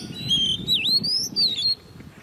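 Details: Hand-reared Oriental magpie-robin, ten months old and caged, in competition song: a sustained clear whistle that dips sharply then climbs and holds, about two seconds long.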